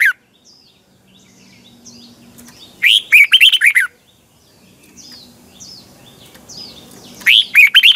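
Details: Red-whiskered bulbul morning song in the twisting double-voice style, used as a decoy to train and excite caged birds: two loud, fast warbled phrases of rolling whistled notes, about four seconds apart, with faint thin chirps from other birds between.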